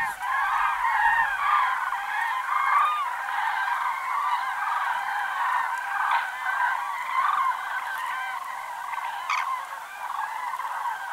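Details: Autumn chorus of common cranes, countless trumpeting calls overlapping in a dense clamour that swells and dips slightly over time.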